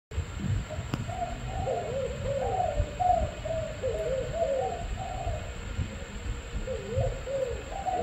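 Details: Captive spotted dove, a four-spotted bird offered for sale, cooing in low, soft phrases of rolling, slightly wavering notes repeated through the recording, over a steady background hiss and a thin constant high tone.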